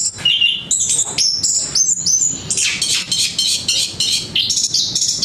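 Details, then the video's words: Orange-headed thrush (anis kembang) singing a sweet song: rapid varied whistled phrases, high sliding notes and slurred trills delivered almost continuously, with no other clear sounds. "burung anis kembang merdu"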